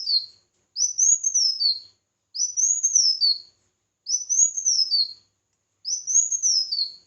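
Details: Five rising-and-falling whistled phrases from a red-whiskered bulbul in competitive singing, evenly spaced about every 1.5 seconds against silence.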